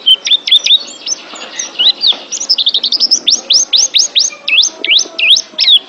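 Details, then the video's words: Oriental white-eye song used as mental-therapy training for pet birds: rapid high chirps and swooping whistled notes, accelerating into a run of sharp upslurred and V-shaped notes repeated about twice a second. "TERAPI MENTAL PLECI ♫ DIJAMIN PLECI ANDA JADI JUARA ♫ Kicau Burung Terbaru"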